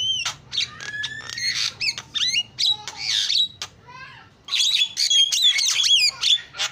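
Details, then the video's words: Javan myna in lively song filled with borrowed phrases: squawks, short whistles and upslurred notes, then a near-silent pause before a dense burst of chattering whistles resumes. "JALAK KEBO SUPER GACOR SUARA ISIAN"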